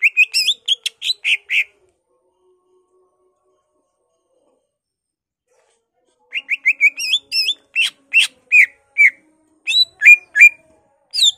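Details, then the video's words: Greater green leafbird in full, excited song with fill-ins copying murai, poksay, cililin, kapas tembak and canary; quick trains of bright whistled and chipped notes, a long silence, then another fast varied burst. "BURUNG CUCAK IJO GACOR EMOSI NGENTROK BONGKAR ISIAN , Murai, Poksay, Cililin, Kapas tembak, Kenari"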